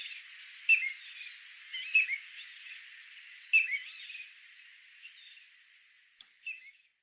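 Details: Piping Plover on a Fire Island beach, New York, giving soft, clear, high whistled "tweet" peeps, the piping call that names it and is often heard before the bird is seen, spaced a second or more apart over faint hiss.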